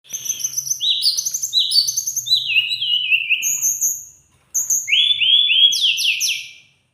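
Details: Teledekan gunung (mountain lark) singing vigorously: rapid series of high whistled, sliding notes, many falling in pitch, delivered in quick bursts with a short pause before a final run of buzzy descending phrases.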